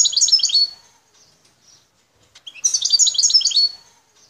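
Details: Wild goldfinch from Bouteldja in Algeria's El Tarf region delivers two short, quick phrases of bright, jingling twitters. A near-silent gap of about two seconds separates the phrases.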